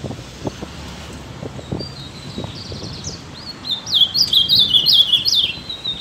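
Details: Ultramarine grosbeak opening with a few soft high notes, then bursting into a rapid series of loud, swooping whistled notes in the second half, with light low rumble and scattered knocks.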